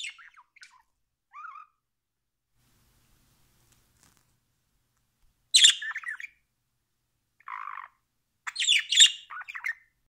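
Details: Pet budgerigar calling in scattered bursts: brief squeaky chirps, a harsh squawk, and a short buzzy note, separated by seconds of silence.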